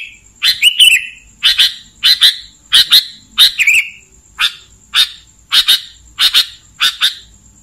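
A Sooty-headed bulbul gives short, bright, bubbly phrases, about one every three-quarters of a second, over a thin, steady high whine.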